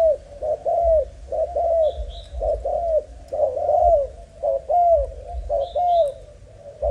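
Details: Malaysian spotted dove, a young, broken-winged but lively male, repeats bubbling, slightly wavering coos in bursts of two or three, with thin high chirps from other birds sounding twice.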